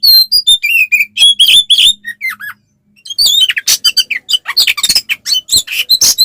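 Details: Oriental magpie-robin in 'ngeplong' combat song to goad rival males: sliding whistled notes at first, a brief silence, then a rapid, harsher torrent of chirps and scratchy notes.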